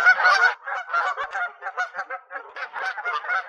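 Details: Several geese at a beaver pond in late spring, nesting season, honk at once: harsh, nasal blasts overlap in a rapid, noisy chorus of roughly three calls a second.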